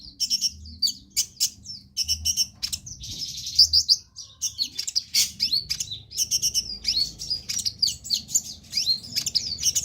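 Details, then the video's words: Konin sunbird singing steadily, used to prompt silent sunbirds into song. Its rapid, high, thin chirps and twittering phrases come in bursts, with short pauses between them, over a low background hum. "KONIN GACOR BUAT PANCINGAN TROTOLAN"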